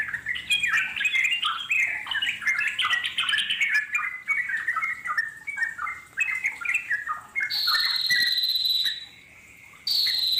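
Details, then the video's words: Yellow-vented bulbuls in the wild performing long ngeropel chatter, played to attract answering wild birds: rolling warbled note clusters for seven seconds, then a sustained high tonal whine with a brief silence before it returns. "puterin suara trucuk alam di jamin lasung nyaut NGEROPEL PANJANG"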